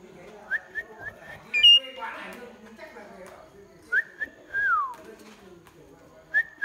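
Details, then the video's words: Asian pied starling singing: clear level whistles and a drawn-out downslurred whistle, separated by pauses, with a sharp high note near the middle and soft indoor background sounds. "Chim cưởng hót cực hay"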